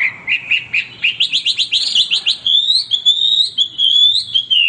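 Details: Steady Hwamei singing: quick repeated whistled notes that step upward in pitch, leading into a high, sustained, wavering whistle.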